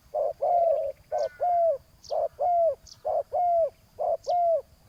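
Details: Spotted dove lured by a ground decoy: rhythmic paired coos, each a short note followed by a longer, gently falling, mellow coo, repeated about once a second. A soft high chirp sounds between some phrases.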